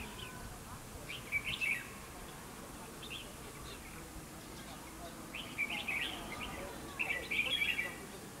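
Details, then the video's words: Red-whiskered bulbul decoy song at a fight trap: several short, bright warbled phrases spaced a few seconds apart, fairly soft, over steady background hiss. "chào mào bẫy đấu"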